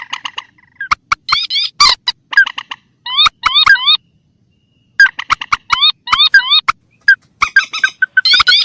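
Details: Lure recording of mandar or pelan with tikusan, rails of rice fields and marshes: repeated bursts of sharp clicks and rising, slurred squeals, separated by short pauses.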